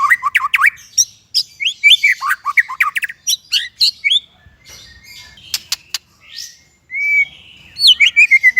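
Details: White-rumped shama song used as masteran training for untrained and non-singing shamas: rapid runs of sharp upslurred and downslurred whistled notes, with a pause midway, then a long smooth whistle followed by quick chirps.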